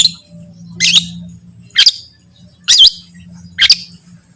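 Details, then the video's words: Long-tailed shrike, recorded as a training song meant to set other shrikes singing: four loud, harsh, buzzy notes about one per second, each sweeping through a wavering rasp, over a steady low hum. "Terbukti ampuh... cendet lain bakal langsung bunyi || masteran cendet"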